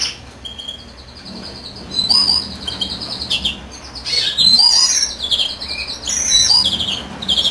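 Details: European greenfinch song during incubation: rolling high trills and twittered phrases in a lively, irregular stream.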